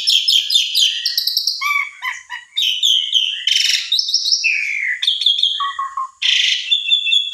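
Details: Asian pied starling song, used as a lure to coax a silent starling into singing and described as full and varied: a dense, rapid jumble of whistled notes, chattering trills and harsh buzzy bursts that shifts pitch constantly with only brief pauses.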